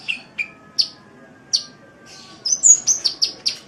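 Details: Sunbird song made as a tutor recording for cage birds: sharp high chirps and short downslurred notes spaced out at first, then a quick run of bright, very high twittering notes in the final second and a half.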